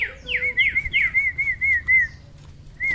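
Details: Black-winged starling singing for reluctant caged starlings to copy: a run of clear, evenly spaced whistled notes, each sliding down and levelling off, about five per second, then a brief pause and one more whistle.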